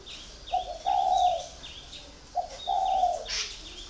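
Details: Spotted dove that has been caged for four years delivers two low, mellow coo phrases, each a short note followed by a longer drawn hoot. Thin repeated chirping from a second bird carries underneath.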